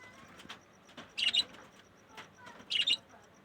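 Budgerigars give bright, scratchy chirps in short bursts, with soft chatter in between.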